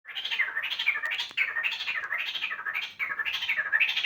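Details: A pet cockatiel making what is described as a weird sound: a continuous run of scratchy, warbling notes that rise and fall in waves.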